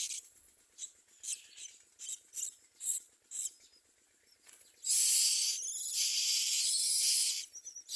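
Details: Common myna nestlings in a nest giving a run of faint, quick, scratchy notes, then breaking into a loud, continuous, harsh hissing that lasts about two and a half seconds.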